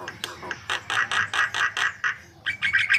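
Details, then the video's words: White-vented myna in lively gacor song used as a lure, giving a run of harsh, buzzy pulsed notes about five per second, then a brighter whistled, warbling phrase near the end. "Suara Gacor Jalak Kebo Untuk Pancingan"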